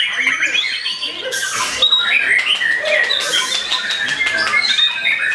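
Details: A white-rumped shama beginning to answer a rival with a busy song: high clear whistles, short trills and two harsh hissing bursts breaking through the flow.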